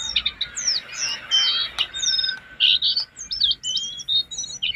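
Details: Lesser shortwing song used as a master recording for training cage birds: high, thin whistled notes and quick chirps, sliding and overlapping in a lively, irregular stream with short pauses.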